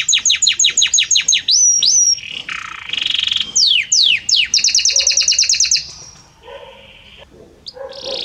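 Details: Belgian canary singing varied phrases: repeated descending chirps, a whistle, downward sweeps, a fast high trill, then quieter low notes.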